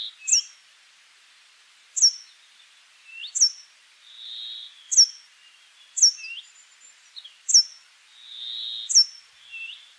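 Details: Brambling singing two long, flat, nasal buzzes about four seconds apart, with regular sharp high chips and short rising notes repeated every one to two seconds between them.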